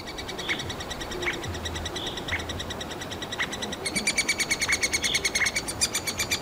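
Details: Hungry three-toed woodpecker chicks squeaking inside a tree cavity in Kalinovsky forest park, Yekaterinburg: faint high chatter, with occasional lower calls from other birds, turning into a dense fast series of shrill peeps after about four seconds.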